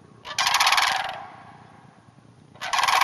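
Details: In a hayfield north of the Twin Cities, sandhill cranes call with a harsh, trilled rattle lasting under a second, then start a second one as the recording ends.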